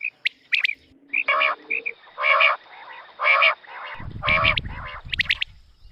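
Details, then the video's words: A quail's morning call: harsh, raspy squawking bursts, roughly one per second, mixed with short high whistled notes. Low rumbling noise comes near the end. "batair ki subha ki awaz | batair ki awaz | quail call"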